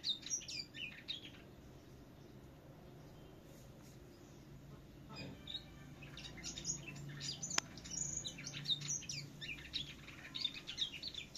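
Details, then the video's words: Contest-style song of a finch in Vietnam: an opening burst of high chips, a quieter pause of several seconds, then a long busy run of sharp, high twittering notes. One loud click and a faint hum. "Tiếng thanh tước hót đấu"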